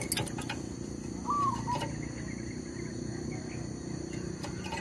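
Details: Lure zebra dove calling during wild-bird trapping, undeterred by a tree squirrel; a single clear whistled note dipping into a short lower second note, with scattered clicks and low rural hum behind.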